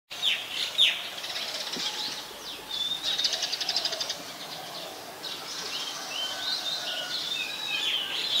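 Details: White-vented myna (Acridotheres grandis) recorded in Ubon Ratchathani, Thailand, on 4 January 2021 gives a busy chatter of high whistles, sharp chirps and quick sweeping notes, with a clustered burst near the middle, over light outdoor background noise.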